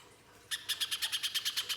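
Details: Little spiderhunter, locally pijantung pisang, delivering a rough, rapid song meant to trigger singing in another bird; sudden start of evenly spaced, piercing high chips, roughly seven per second, with a faint hiss beneath.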